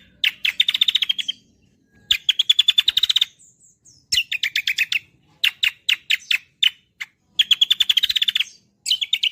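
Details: Gacoran song of a cucak kombo: rapid rattled trills of bright metallic chirps, each burst lasting about a second, separated by short pauses, with isolated sharp notes between them.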